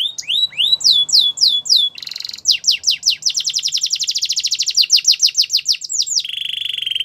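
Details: Training song of a canary: high whistled slurs repeated in series, a dense rapid trill of fast notes, then a sustained fine buzzy roll, loud and continuous throughout.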